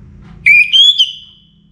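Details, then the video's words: Orange-headed thrush, pre-dawn song: one strong whistled phrase that starts steady, steps up to a higher sustained note, then drops into a trailing fade. "ANIS MERAH Gacor Bunyi Menjelang Pagi"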